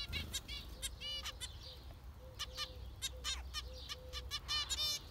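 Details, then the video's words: Several zebra finches calling: bright nasal beeps spaced irregularly, with soft low chirps beneath and a quiet background hum. "Zebra finchs"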